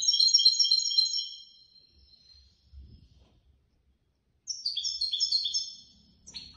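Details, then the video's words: European goldfinch placed third in a Casablanca bird lovers' association competition. Two bursts of quick, high, chattering trills are separated by a quiet gap with faint low knocks, and a buzzy note comes at the end. "الحسون الفائز بالرتبة الثالثة في المسابقة التي نظمت من طرف الجمعية البيضاوية لمحبي الطيور"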